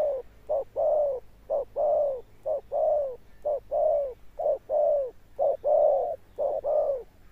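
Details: Rhythmic 'thunder-tone' cooing with a long-lasting ending from a wild-caught spotted dove: nine steady pairs of a clipped note then a longer swelling low hoot.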